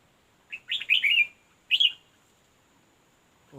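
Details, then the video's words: Red-whiskered bulbul recorded during decoy trapping with a fighting bird: two bright, warbled phrases of quick, slurred whistles, one long and one short, separated by a pause, with a faint low thump at the end. "Bẵy đấu chào mào"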